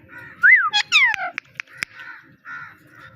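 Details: Pet talking parrot vocalising: a loud rising-falling whistled swoop, then steeply falling whistled slides and a run of sharp clicks, followed by softer buzzy chatter in a quiet room.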